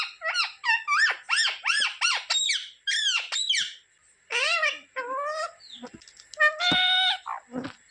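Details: Pet talking parrot giving a fast string of squeaky, chattering syllables with rising and falling sweeps, in quick bursts and a short pause near the middle, indoors.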